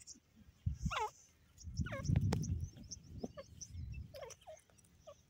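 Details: Grey francolin calling: short harmonic notes that sweep steeply downward, given in three spaced bursts, with low rumbling background noise and a few faint clicks between them.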